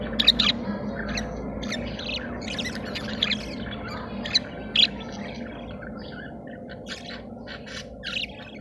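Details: Caged budgerigars in breeding condition, mating and regurgitating food; scratchy chirps and squawks in irregular clusters against a constant low humming background, growing sparser toward the end.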